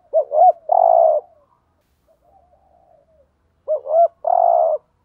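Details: Spotted dove used as a lure for wild doves gives two coo phrases about three seconds apart, each a quick wavering double note then a long steady hum, with soft murmuring between.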